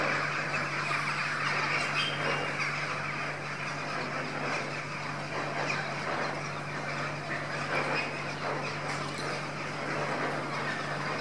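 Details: Lesser flamingos gathered indoors to feed keep up an unbroken, crowded babble of honking calls, with an occasional sharper note rising above it, all over a steady machine hum.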